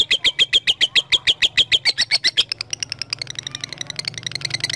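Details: Lovebird calling a rival, used as a lure to prompt long ngekek chattering: a rapid train of sharp, high, evenly spaced notes that runs fast and loud, then turns softer and thinner for the last seconds, with a faint low hum beneath.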